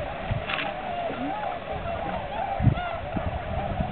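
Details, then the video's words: Large flock of tundra swans resting at Aylmer Wildlife Management Area on their annual migration, March 15th 2009: continuous mellow honks from many birds blend into a steady chorus, with people talking nearby and a brief thump. "Tundra Swans"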